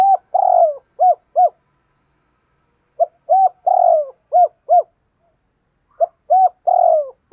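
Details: Spotted dove cooing, played as a lure to make wild doves coo back: three rhythmic groups of short clipped coos with one longer rolling note each, repeating about every three seconds, clean and loud.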